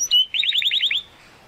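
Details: Young Spanish Timbrado canary, still developing its full song, gives a short whistle followed by a quick run of about eight repeated rolling notes under a second long.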